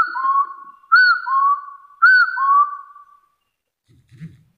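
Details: Wild hill partridge calling to challenge a rival. Three whistled phrases about a second apart, each a short arched note leading into a drawn-out even whistle. The calling then stops and a soft thump follows.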